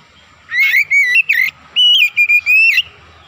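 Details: Oriental magpie-robin (kacer) in full 'gacor' song, used as a lure to rouse other magpie-robins: two loud bursts of clear whistled notes, steady and slightly wavering, each phrase broken into short linked segments.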